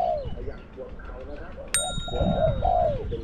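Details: Spotted dove coo from a decoy bird set against wild doves, small-to-medium voice; soft arched coos and a longer descending note, with a sharp metallic ding midway.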